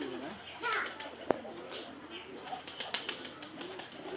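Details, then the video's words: Desi pigeons give low, curving, throaty coos, overlapping and wavering, with a single sharp tap and background murmur and rustling. "দেশি কবুতর"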